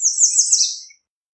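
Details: American redstart delivering a high, shimmering phrase of quick notes that slides slightly downward and fades out within a second.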